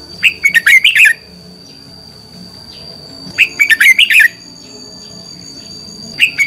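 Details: Decoy red-whiskered bulbul in contest singing for bird training: crisp bursts of five or six quick whistled and chirped notes, two full phrases about three seconds apart and a third beginning, over a faint hum.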